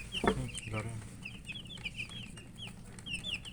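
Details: Young domestic chicks peeping softly while they eat, with short high notes scattered throughout, a couple of louder thumps and taps near the start, and a steady low hum.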